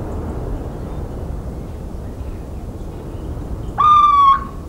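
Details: Little owl (Chevêche d'Athéna) in countryside of central France, 17 March 2019, gives one drawn-out, plaintive mewing note that falls slightly, heard near the end over a steady low rumble of background noise.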